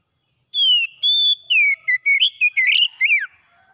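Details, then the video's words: Oriental magpie-robin singing at morning, a recording for stressed birds that fell silent: a drawn-out falling whistle, a level whistled note, then a fast cascade of bright, twisting whistles closing on a steep downslur. "KACER PAGI PEMULIH KACER SETRES MACET BUNYI"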